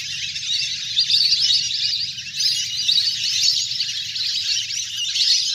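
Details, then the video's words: Big flock of ducks splashing about on the water: unbroken high, shrill whistling from many birds at once, a steady chorus with faint low rumbling beneath. "เสียงนกเป็ดน้ำ! ฝูงใหญ่เสียงคมชัดมาก"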